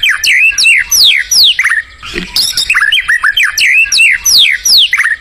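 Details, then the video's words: Wild white-rumped shama singing: loud, rhythmic, repeated phrases of sharply falling whistled sweeps, about three per second, with one brief quieter break midway. "SUARA UNIT MURAI BATU GACOR DI ALAM LIAR"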